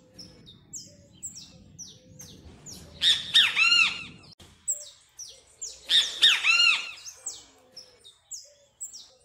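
Great kiskadee giving two loud, harsh, ringing bursts about three seconds apart, over steady high chirping from other small birds.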